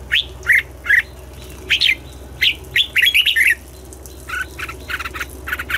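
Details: Morning song of a Red-whiskered bulbul being trained to sing: clear chirped notes dipping and rising, given singly and then in a quick run, ending with a fainter, rougher series of notes over a low hum.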